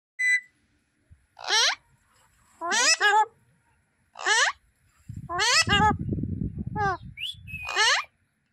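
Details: Pet Alexandrine parakeet, also called Raw, Pahadi or Desi parrot, gives harsh, rasping speech-like bursts roughly once a second, with a short thin whistle near the end and a person's low voice talking underneath.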